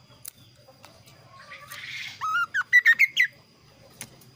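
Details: Kaso kaso bird singing varied, clear phrases: a soft rising whistle and a brief rushing sound lead into five quick whistled notes climbing in pitch, each slurred downward.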